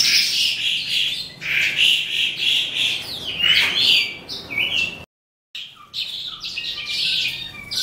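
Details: Calandra lark of the eastern race, singing late in the day: rapid, grating chatter and buzzy trills, a mix of mimicked-sounding chirps, broken by a brief silent gap before the twittering resumes.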